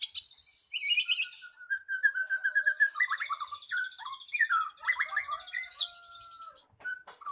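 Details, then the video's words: Captive magpie-robin in full lure song to make a silent bird sing; a long flowing mix of clear whistles, a drawn-out steady note, quick chattering runs and high squeaky phrases, with a few clicks at the end. "Pancingan Burung Murai Macet Jadi Gacor"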